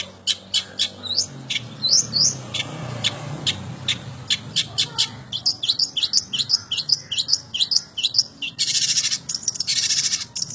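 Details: Long-tailed shrike in old-style song material, giving quick high chirps, short upslurred whistles and dry clicking notes in uneven bursts, ending in a harsh buzzy rattle.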